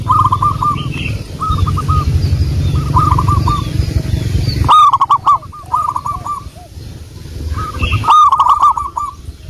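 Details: Local wild zebra dove lure song: a string of fast rolling coo phrases, loud at the start, with sharp crackles midway and a steady low hum fading out.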